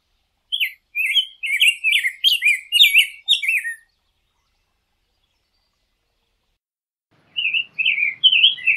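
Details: Rose-breasted grosbeak delivering a sweet, fast warbled song of looping whistled notes, then a silence of several seconds before a new phrase begins.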